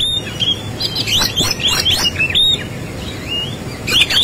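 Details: Oriental magpie-robin giving a fighting song rich in varied fill notes: a fast run of bright whistled and chirping phrases, rising and falling slurs with sharp clicks, continuous for four seconds over a low background hum.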